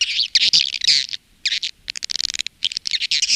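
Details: Swiftlet calling and roosting sound from Indonesia, used by swiftlet farmers, in the style called Women Flower: dense bursts of high, buzzy chirps and rapid clicking twitters, coming in clusters separated by short pauses.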